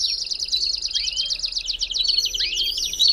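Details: Belgian canary singing fast, even rattling trills, with two sweeping upward whistles cutting through the steady high pulse; intended to warm up a canary.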